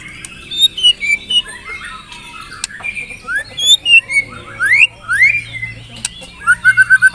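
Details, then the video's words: White-rumped shama song played as a lure to coax kept shamas into full song: scattered clear whistles and rising and falling sweeps in short bursts, ending in a quick run of repeated notes, over a faint background hiss. "Pancingan Murai Batu Agar Bunyi Ngeplong"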